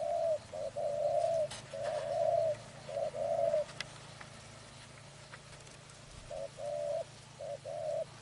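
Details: Spotted dove calling in a trapping setting: a run of mid-pitched hollow coos in short and longer notes, a phrase lasting several seconds, then a pause of about two and a half seconds before the series resumes. Faint outdoor background.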